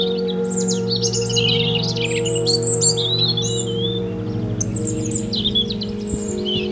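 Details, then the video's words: Singing European robin delivering dense, rapid phrases of tumbling high twitters and thin whistles, with a short pause midway before another fast burst, over a constant low, musical droning hum. "European Robin singing and swimming"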